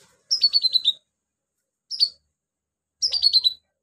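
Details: Pygmy cupwing, known locally as konin, a female calling to a male: three bursts of high, thin chirps, each a quick stuttering run of notes falling slightly in pitch, separated by silent pauses.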